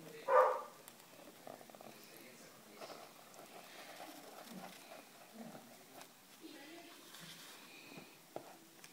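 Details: A hand-fed rosy-faced lovebird chick about 25 days old gives one sharp squawk, then soft, rhythmic, purring chatters as it begs while being fed by a breeder, with faint indoor handling noise.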